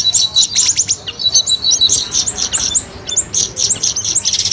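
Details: Lure recording for trapping streak-eared bulbul: rapid high chips and short squeaky phrases in a steady, jumbled chatter that overlaps throughout.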